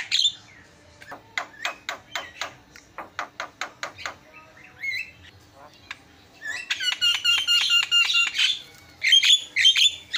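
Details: Javan myna delivering a vigorous isian song: a run of sharp, evenly spaced clicks and ticks, then dense bursts of shrill harmonic whistles and harsh chattering notes, with short silent gaps between phrases.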